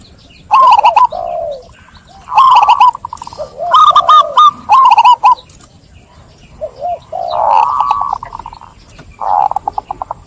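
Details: Local zebra doves singing in a lively, clear chorus, one bird prompting others to join: rapid rippling coos around a steady mid pitch, broken by lower drawn-out notes and short trills, in several bursts.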